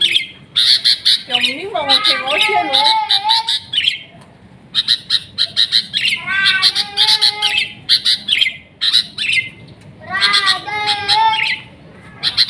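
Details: Sooty-headed bulbul singing bubbly, liquid warbled phrases of looping whistles in bursts every few seconds, mixed with many sharp high chirps from other birds.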